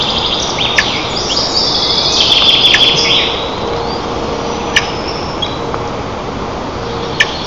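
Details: White-tailed eagles at their nest in Nizhnyaya Kama National Park, Tatarstan, parents feeding eaglets breakfast on June 25, 2024, captured by a nest camera: a rapid run of high yelping notes early on, then quieter with scattered clicks over steady hiss.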